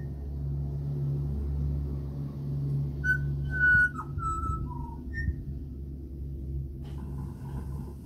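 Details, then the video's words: Australian pied butcherbird visiting a house: a short run of clear fluted whistles, a level note, a dipping note, a lower slurred note, then a brief higher note, over a steady low engine-like rumble. "LISTEN TO THE BEAUTIFUL CALL OF THE AUSTRALIAN PIED BUTCHER BIRD"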